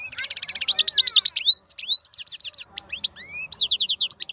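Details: Wild goldfinch singing vigorously: fast high twittering, buzzy trills and clear rising whistled slurs, in near-continuous lively phrases.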